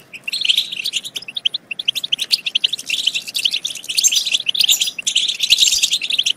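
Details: Stimulating batbata of the European goldfinch, played to get goldfinches singing and mating: a long, fast run of sharp twittering notes that grows denser and more jangling toward the end.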